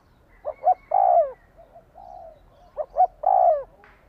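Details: Spotted dove call to quickly excite a decoy bird. Two phrases of short coos plus a long falling croon, with a softer murmuring coo in the pause between them.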